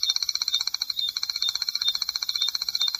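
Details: Long, dry, high-pitched trill of a Striped Crake, a scarce marsh and flooded-grassland bird; fast, steady, ticking pulses of about thirteen per second continue without a break.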